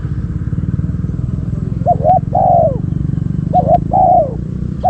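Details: Decoy spotted dove coos twice, each phrase a short double note then a drawn-out falling coo, over a steady engine hum with faint clicks.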